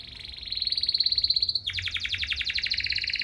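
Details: Canary in strong, provoking song meant to stir other canaries to sing back: a fine, even trill held for over a second, then a denser burst of rapid clipped notes against faint background hiss.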